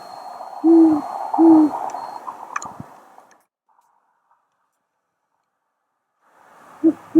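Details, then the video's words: Night hooting of a great horned owl perched on a house roof: two deep, even hoots about a second apart, then a long quiet gap before a further low hoot at the end. "Great horned owl hooting"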